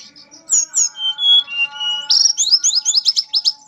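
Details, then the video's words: Mangrove blue flycatcher singing melodiously, opening with sliding whistled notes and held tones, then breaking into a fast run of bright, repeated rising phrases, about eight in under two seconds. "Burung tledekan nyuling merdu"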